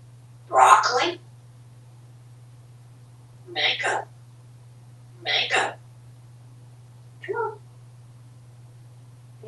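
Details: African Grey Parrot, a talkative male pet living in a Texas home, in a happy mood, utters four short speech-like phrases spaced a few seconds apart, with a constant low hum from running fans indoors.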